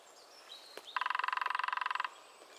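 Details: Steady machine-gun drumming by a lesser spotted woodpecker, New Forest: about twenty-two quick, even taps in just over a second, after a thin high whistle from another bird.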